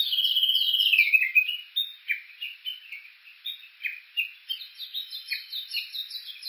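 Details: Japanese bush warbler on Suo-Oshima, Japan, near Kuka below Mt. Yakushi, recorded on an Olympus Voice-Trek V-82: a loud sustained whistle stepping downward, followed by an evenly spaced series of short falling chirps.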